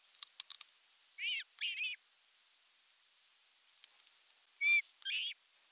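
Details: Osprey at a camera-watched nest in the Satakunta region of western Finland, July 19, 2022, as the male arrives with a big fish: sharp, high, harmonic-rich chirps, a quick tick cluster first, then paired squeals and a louder whistled cry near the end.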